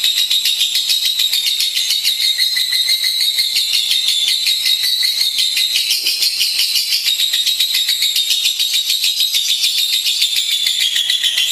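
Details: Lovebird chattering without pause, a dense, buzzy, rattling stream of high notes with small shifts in pitch throughout.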